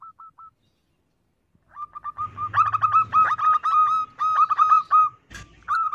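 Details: A female zebra dove calls in a rapid run of short, soft notes with a stuttering, rolling rhythm, a few brief notes before the main burst; used as a lure for other doves.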